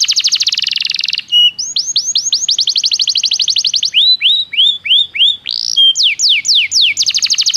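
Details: Belgian canary song used for training canaries: a fast buzzy high trill, then a run of rising whistled notes, a lower series of upslurred chirps and quick descending sweeps, all bright and high-pitched with no other sounds.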